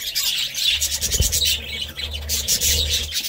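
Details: Budgerigars chattering continuously, a dense high warbling stream of squeaks and chirps throughout, with a low hum underneath.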